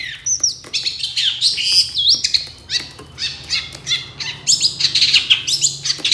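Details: Long-tailed shrike singing energetically, used as a lure to make other shrikes answer: a fast, varied stream of high whistles, sharp chirps and rising and falling slurred notes, delivered about three times a second with a faint low hum beneath.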